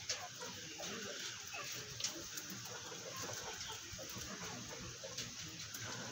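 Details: A chukar partridge, Pakistan's national bird, gives harsh, hurried clucking chatter, with notes tumbling together about every two seconds over a steady hiss of background noise.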